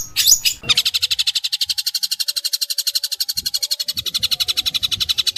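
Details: Long-tailed shrike training recording in rough 'tembakan kasar' style: after a short shrill burst, a steady, fast stream of buzzy rasping notes, about four per second, runs on with faint low thumps behind.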